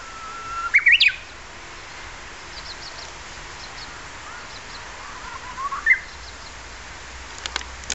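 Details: Japanese bush warbler near Kairakuen's south gate: a long held whistle ending in a fast, tumbling, rising flourish, then quiet hiss, with a short faint note several seconds later and a few clicks at the end.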